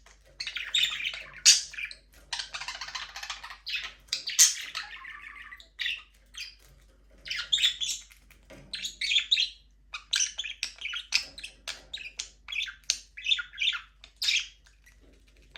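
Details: Budgerigars flying free and playing in a small aviary: a continuous flock chatter of warbled chirps, squeaky twitters and scratchy notes in irregular bursts, with no music.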